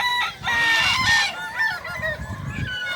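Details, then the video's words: Balenggek rooster crowing during a competition at Danau Bawah, Solok Regency, 6 October 2024. A harsh, bright crow is followed by descending stepped syllables, while other roosters call and the crowd makes background noise. "lomba ayam kukuak balenggek"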